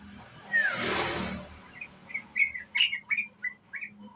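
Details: Young sooty-headed bulbul in ngriwik chattering style, used as a lure. A single falling whistle comes before a noisy rush, then a lively string of short warbled notes repeats about every third of a second.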